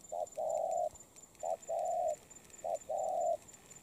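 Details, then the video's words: Moulting spotted dove giving three paired phrases, each a short abrupt note followed by a longer steady hoarse coo, evenly spaced about once a second; background otherwise calm with faint hiss. "Bổi Đồng Pha tốt tiếng , liền lẹ , bài khá , gù tốt"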